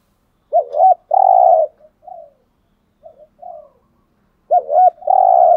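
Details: Spotted dove, a bird kept to rouse a caged male, in a full set of coo styles: a low, hollow double-looped coo followed by a long, steady, buzzy coo, softer short notes, then the phrase repeating.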